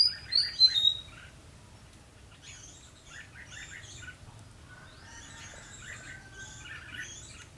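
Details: Red-whiskered bulbul used as a lure in a fighting trap on 12 February 2016, singing to draw rivals: a burst of loud, bright chirping notes at the start, then softer twittering phrases in the background.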